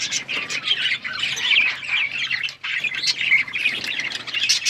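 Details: Several budgerigars chatter with scratchy chirps and squawks in overlapping bursts, a brief pause near the middle, over a faint low hum.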